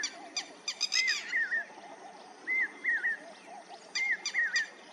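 A lapwing gives slurred, arching two-note calls in pairs every second or so, with sharp clicking notes and soft rural background noise.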